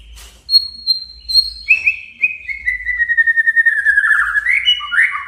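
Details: A male white-rumped shama challenges a rival so it will sing its full repertoire. A clear high whistle is followed by a long, slightly falling stuttering trill, then lower rising notes.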